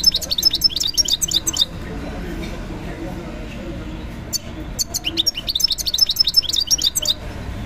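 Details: European goldfinch at a bird market, giving rapid twittering bursts of high, tinkling chirps and trills, a pause of a few seconds, then another longer chattering phrase over faint market noise.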